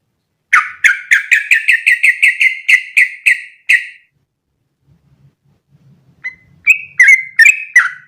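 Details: Sooty-headed bulbul singing a long unbroken 'ropel' song, used as training audio for other bulbuls: about a dozen quick whistled notes, each sliding upward, then a pause and faint low murmurs before a fresh burst of higher chirps.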